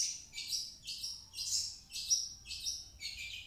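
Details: Long-tailed shrike (cendet) used as a lure for a shrike that will not sing: a quick run of buzzy, chirped notes with thin whistled accents, about seven phrases in a few seconds.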